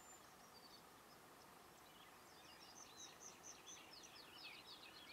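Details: Yellowhammer (Emberiza citrinella) at Šinkov Štradon, Ljubljana Marsh, Slovenia, on 13 April 2024, singing faintly: a quick run of high, thin repeated notes in the second half, over a steady hiss of background noise.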